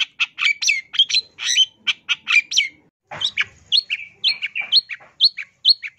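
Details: Long-tailed shrike singing in a busy 'gacor' style with a full 'isian tambakan' fill, used as a 2022 training track for caged birds: fast run of varied chirps, squeaks and short whistled notes, a brief pause near three seconds, then more notes.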